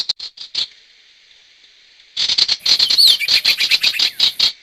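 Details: Sirtu lure audio for trapping wild birds: a short burst of quick high chirps, a thin sustained tone for about two seconds, then a busy run of sharp repeated chirps.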